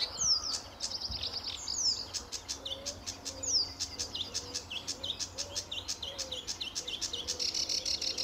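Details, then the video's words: Sedge warbler in full song at RSPB Fowlmere, July 2013, on a sunny early morning: varied high phrases mixing thin down-slurred whistles, dry ticks and buzzy chatter, with soft low notes from another bird behind. "Sedge Warbler at RSPB Fowlmere - July 2013"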